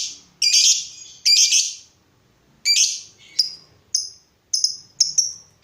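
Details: Lovebird used as a lure for other lovebirds gives three harsh buzzy chirps, then a series of shorter, clearer, thin squeaky notes at a quickening pace.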